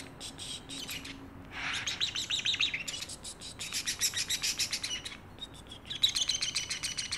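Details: Caged pet parrotlet making funny sounds: dense, high, rapid chirping and twittering in several bursts, with one brief lower note in the middle.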